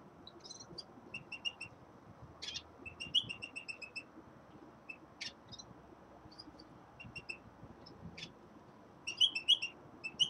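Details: Young male common linnet singing in winter: scattered high twittering notes and short buzzy trills, some in quick runs of four to six, with a louder burst of chirps near the end over a soft low rumble.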